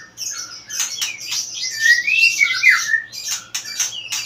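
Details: A two-year-old white-rumped shama sings a rapid, varied run of whistled and harsh notes, some sliding between high and mid pitch, packed closely together.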